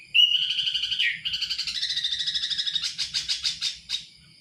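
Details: Sooty-headed Bulbul (Kutilang) giving a high whistle, then a rapid, even series of pulsed notes. The notes speed up into a chattering trill before fading out.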